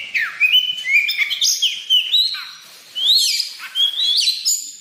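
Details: White-rumped shama singing in a lively, full-voiced manner, used as a lure: a fast run of clear whistled notes, sliding and sweeping between phrases, with brief bright chirps and short pauses, steady and loud throughout.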